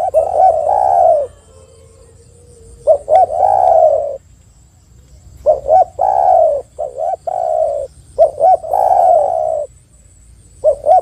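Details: Spotted dove calling persistently as a lure for other spotted doves: long rough coos, some preceded by short clipped notes, repeating in quick succession with a low droning tone in the short gaps.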